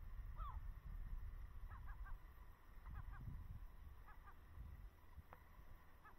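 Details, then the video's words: A gull flies over the ice of Lake Baikal's Small Sea in early April 2024, seemingly early for gulls there. It gives short, yelping calls, mostly in quick runs of two or three, over a steady low wind rumble. "летает Чайка Я надеюсь вы слышите как она кричит"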